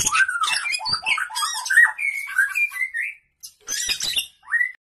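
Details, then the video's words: Oriental magpie-robin of the blorok form, a kacer, singing loudly: a fast, varied run of whistled, slurred and harsh scratchy notes, a short pause, then more scratchy bursts ending in a rising whistle. "BURUNG KACER BLOROK EXTRIME"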